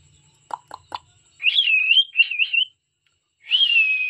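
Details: Pet cockatiel singing: a wavering whistled phrase that rises and falls several times, a soft clicking run before it, and a short sustained whistle near the end.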